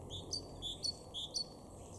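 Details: A great tit in a garden in Weener, East Frisia, far northwest Germany, in April, repeats a bright two-note phrase, a lower note then a higher ringing one, about twice a second, over a faint low background hum.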